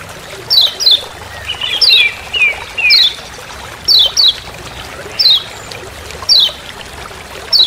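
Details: Lemon-bellied white-eye, kecial kuning Lombok, calling "ciak ciak" in forest. Sharp, falling high chips come singly or in quick pairs, with a run of short lower slurred notes in the first half.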